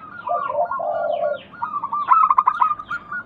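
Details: A local zebra dove sings a lure phrase to get reluctant doves calling: a low, throaty purring coo, then a burst of rapid, evenly spaced, ringing staccato notes that trail into softer cooing.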